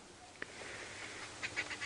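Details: At a cold sunrise on 22 July 2016, Arrow-marked Babblers sound cross, apparently at an animal that stole food from them. After one sharp click they give a few harsh, nasal, chattering bursts in quick succession over a soft hiss.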